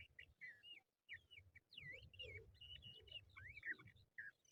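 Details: Crested lark, known locally as jal, heard in a trapping lure recording: a run of clear whistled notes, rising, falling and looping, delivered almost continuously over a steady low background hum.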